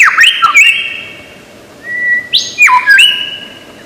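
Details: Imitative lyrebird of Australian woodland: clear whistled phrases, short upslurs jumping into long level tones, with a pause before a second pair of bright whistles.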